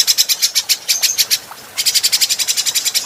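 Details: Training recording of an adult grey-cheeked bulbul for cage birds. Dry buzzy notes in a rapid rattling series, halting for a moment midway, then bursting into another even run.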